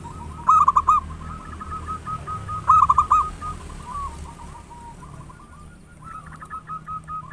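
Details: Local zebra dove with a big, loud voice, singing actively, used as a lure to stimulate other doves to sing quickly. Two loud bursts of rapid, rolling cooing notes stand out above a constant background hum.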